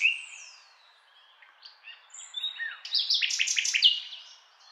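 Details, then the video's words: Nightingale song opening with a long descending whistle, then scattered soft notes building to a rapid, loud volley of repeated clicking and trilled notes. "Nightingale Sound"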